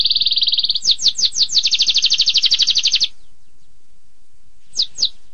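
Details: Canary delivering 'tembakan pedas' song: a steady high buzzy trill, then a run of quick downward-slurred notes and another dense rattle that stops abruptly, followed by two isolated chips after a short silence.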